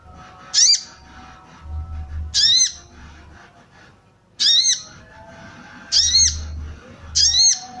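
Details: Female sooty-headed bulbul calling to raise breeding drive in males, used for training cage birds and luring wild ones: loud harsh arching squawks, one every one to two seconds, over a steady low hum.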